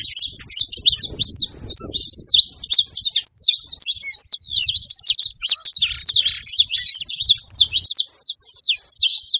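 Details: Saffron finch singing in the wild, around three chirps a second delivered somewhat irregularly: sharp, high slurred notes in a near-continuous stream, with faint low background noise.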